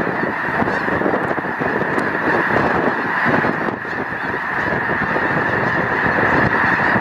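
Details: Snow Geese in their hundreds of thousands at Loess Bluffs National Wildlife Refuge, 21 February 2020: a continuous chorus of nasal honks that swells slightly toward the end, with a short dip midway.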